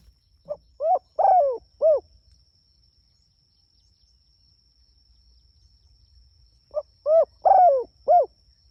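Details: Spotted dove calling its companions: two four-note cooing phrases, each a short low note followed by three arched, mellow coos, separated by a few seconds of quiet.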